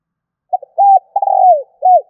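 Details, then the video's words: Calling spotted dove, meant to attract others: a short clipped note, a sustained flat coo, a vibrating coo that drops at its end, then a last curved coo, in clear quiet conditions. "Chim cu gáy gọi kích bổi nhanh nổi hiệu quả"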